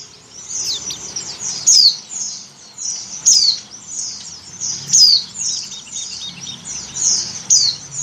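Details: Breeding female Oriental white-eye calls for a male, giving sharp, high descending whistles roughly every 1.6 seconds amid a continuous thin twittering chatter.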